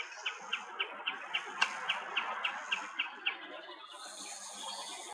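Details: Common snipe giving a steady series of short, sharp notes, about four per second and evenly paced for three seconds, before the calling fades and a high hissing noise takes over.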